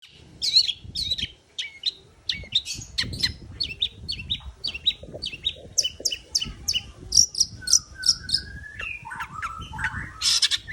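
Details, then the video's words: Long-tailed shrike song, played to coax a reluctant singer back into full song: a fast, varied run of sharp chirps, trills and whistled notes, ending with rising slurred whistles and a harsh burst, with low background rumble. "CENDET YANG MALAS BUNYI PASTI AKAN GACOR KEMBALI"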